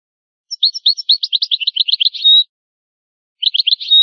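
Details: European goldfinch singing old-style, original-language song from a rare tape. It gives a two-second string of quickening chirps that ends in a drawn-out, even whistle. A shorter phrase with the same whistled ending follows after a pause.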